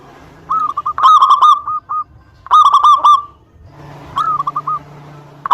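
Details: Local zebra dove singing frequently as a lure to provoke rival birds: two loud rolling, stuttered coo phrases, then a softer third one over a faint low steady hum.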